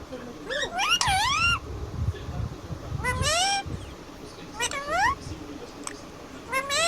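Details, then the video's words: Pet Indian ringneck parakeet imitating the word "mummy": four bursts of loud, harmonic, voice-like phrases that swoop up and down in pitch, separated by pauses, over a steady low background rumble. "mummybolne wala mittu"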